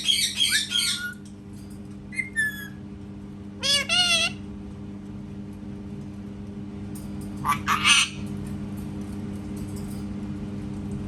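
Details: Indoor parrot imitating a cat: several separate outbursts over eleven seconds, including a drawn-out, wavering meow-like call with rising and falling tone and short raspy squawks, with steady room hum between them.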